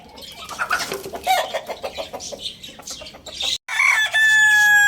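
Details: Chicken, tagged as a Lohmann Brown rooster: rapid, harsh clucking notes tumble out for a few seconds, then after a brief break the rooster gives a loud, sustained, strained crow.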